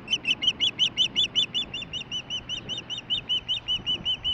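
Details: Female osprey chirping nearby but unseen as she gets a fish delivery, July 23, 2015: a steady series of short, sharp whistled chirps, about three per second, each slightly arched, with a low rumble of background noise.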